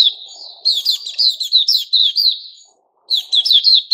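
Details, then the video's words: Caged white-crowned shama in its new-feathers season sings a run of rich slurred whistled phrases, each rising and falling quickly, delivered back to back, then a short silence before another fast string of whistles. "Puteh Raja"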